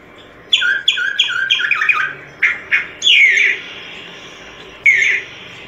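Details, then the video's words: Solitary cacique singing a rapid run of about six harsh doubled notes, then two separate squawks, a longer grating phrase and, after a pause, one more rough note. "Canto Del Boyero Negro Pico Blanco"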